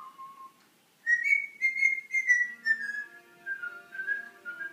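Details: Eleven-year-old pet Alexandrine parakeet indoors, vocally encouraging its owner during ironing: a short mid-pitched tone, then a series of clear, slightly wavering whistled notes stepping gradually downward in pitch.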